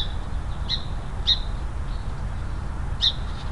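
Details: A Song Sparrow in Oregon's Willamette Valley scolds a bobcat near a trail camera set by bobcat tracks, giving three sharp, high chip notes at an uneven pace over a steady low rumble of wind or distant traffic.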